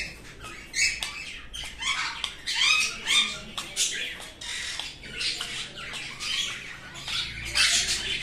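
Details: Sun conure producing a stream of short, scratchy squawks and chattering notes, louder and harsher toward the end.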